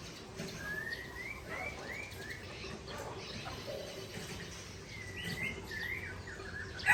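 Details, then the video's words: White-rumped shama, Aceh type from Tangse, singing against a rival: soft rising-and-falling whistled phrases, spaced and melodic, with a louder whistled passage later and steady low background hiss. "Murai Aceh Original Tangse Bereng Sebeng Lawan"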